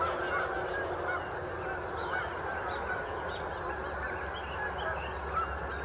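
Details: A Canada goose flock on St Anne's Lagoon calling together, a constant wash of overlapping honks from numerous geese with a few brief higher honks near the end.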